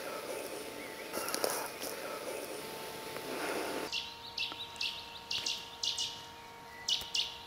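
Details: Three fledged young Boreal owls in the Dresdner Heide, recorded as proof of breeding, give hoarse, hissing calls in short raspy bursts roughly every half second to a second, over a steady electrical hum and background noise.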